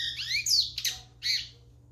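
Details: Lined seedeater song fragment: two quick slurred, rising-and-falling whistled notes, then a sharp click and a final buzzy trill, over a faint low hum.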